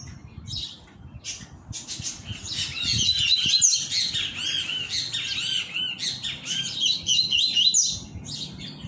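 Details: Double-collared seedeater (coleiro) coming out of moult, singing the tui tui song style: a dense, rapid run of high chirping, warbling notes, fast and continuous, with faint low background rumble.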